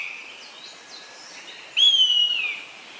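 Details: Common buzzard giving a single loud, down-slurred mewing whistle that falls and fades, preceded by faint, thin chirps from other small birds in an open outdoor setting.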